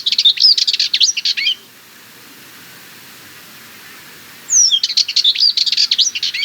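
Sardinian warbler giving two fast, scratchy, chattering song bursts of about a second and a half each, separated by a three-second pause.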